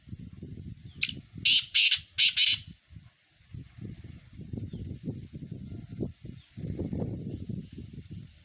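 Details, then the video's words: Black francolin giving a rapid series of five harsh, scratchy notes in about a second and a half, followed by steady low rumbling background noise. "مکس کالے تیتروں کی مکس آوازیں"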